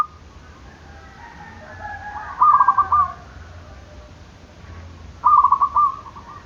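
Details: Zebra dove calling to provoke rivals into calling. Two fairly quiet bursts of rapid staccato cooing notes, each about a second long and spaced a few seconds apart, over a soft low background hum.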